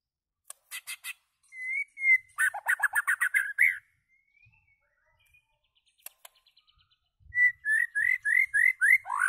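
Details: White-rumped shama in loud song: short chips and soft whistles, a rapid run of descending notes, then a series of bright rising slurred notes repeated about twice a second.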